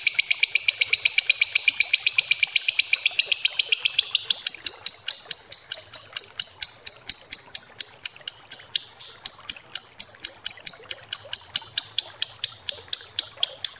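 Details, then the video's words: Lovebird ngekek, a long trilling lure: a fast, dense, buzzy chatter that gradually slows into distinct, sharp high pulses repeated about twice a second. "Suara Lovebird ngekek panjang pancingan ampuh"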